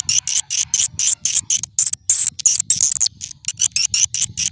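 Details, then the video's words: Old-style swiftlet lure call used to attract swiftlets: a steady train of short, very high buzzy chirps, several per second. "Suara Panggil Walet SUPER JADUL"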